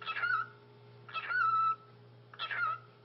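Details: A nine-year-old male cockatiel says "hello" (你好), repeating a short, nasal two-part phrase three times about a second apart, each ending in a falling whistled tone, over a faint low hum.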